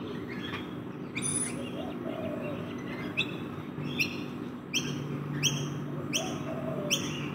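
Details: Rainbow lorikeets, parrots feeding in a backyard, giving short harsh rising screeches with bright overtones, about ten spaced through the stretch and louder toward the end, over steady low background hum and a soft lower cooing note.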